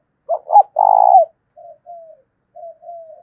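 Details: Lure spotted dove with a 'thổ' style voice, calling to make wild doves answer. Two short hoots lead into a long buzzy purring coo, followed by four or five faint, soft, drawn-out coos.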